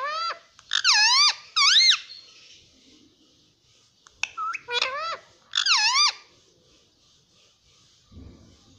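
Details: Pet rose-ringed parakeet that speaks "mummy papa": paired wavy harmonic syllables at the start, a quiet pause, then further bending, speech-like notes and a soft thud near the end.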